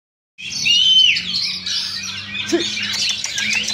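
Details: Oriental magpie-robin in a singing-contest duel at a Sunday practice event in Sindanglaut, session 2: a long clear whistled note opens, then dense high chattering and warbled phrases with other birds overlapping and a low background hum.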